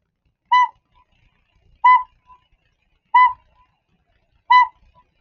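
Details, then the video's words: A northern pygmy owl gives a repeated clear, mellow whistled toot about every 1.3 seconds, four notes in a row, each followed by a faint echo. "Northern pygmy owls, they make a note that they repeat. It sounds like this."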